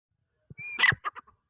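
A partridge gives a brief thin whistle, then a harsh rasping burst and two or three quick scratchy notes, all over in about a second, with faint low thumps before.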